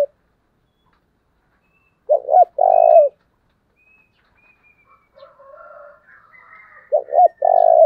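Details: Decoy spotted dove calling to provoke wild birds: two short clipped notes then a long, low, steady coo, phrase repeated after about five seconds, with faint chirps from other birds between phrases.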